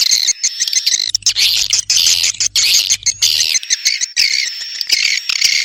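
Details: Swiftlet calls, a dense stream of high chirps and twitters overlapping continuously, with a steady thin whistle tone running through and a faint low hum in the middle.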